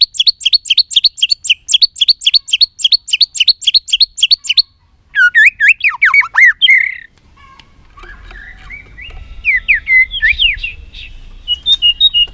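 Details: Chattering 'tạch líu' female voice of the white-rumped shama, played to rouse males for fighting: a long run of rapid high chip notes, then squawky sweeping whistles and scattered chirps over faint low hum.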